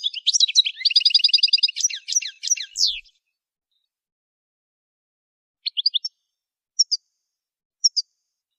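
A goldfinch sings a rapid, tinkling jumble of high twitters and a buzzy trill for three seconds, then a pause and a few sparse high chips.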